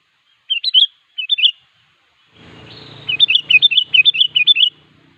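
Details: Sooty-headed bulbul in vigorous song to a rival: two short bubbly phrases, then a noisy rustling burst under a fast, rattling string of repeated whistled notes.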